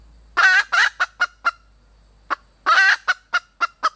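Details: Red junglefowl hen calling to attract a mate, giving two bursts. Each is a pair of drawn-out raspy notes trailing into a quick series of short sharp clucks, with a brief pause between the bursts.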